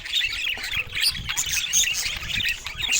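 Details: Budgerigars in a dense flock, a continuous chatter of overlapping high chirps, squawks and warbles with no pauses, steady low rumbling underneath.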